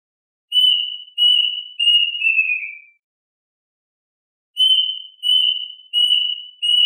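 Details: Plaintive cuckoo calling the flock, giving two phrases of clear whistled notes. The first has four notes stepping lower, the second four even notes. A silent pause of over a second separates them.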